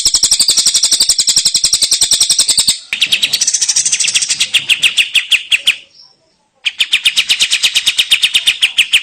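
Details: Long-tailed shrike singing a full fill-in song for use as a master recording to train other birds: quick metallic repeated notes in chattering runs, a short silent break, then the trill resumes.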